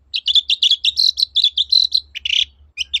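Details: Long-tailed shrike in full song, played to prompt silent shrikes to sing again: a rapid chattering run of high, buzzy, clipped notes, densely packed for about two seconds, then a short harsh burst and two sharp chips.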